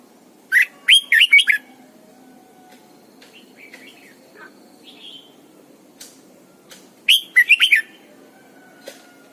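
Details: Morning song of a caged Red-whiskered bulbul decoy used to train birds: two bright whistled phrases of four or five quick notes about six seconds apart, with faint softer notes and light clicks between them.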